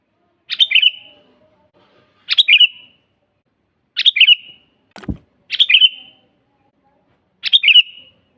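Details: Sooty-headed bulbul singing strongly, a natural master for teaching caged bulbuls and attracting wild ones: five short chattering phrases ending in a whistle, irregularly spaced, with a single dull knock near the middle.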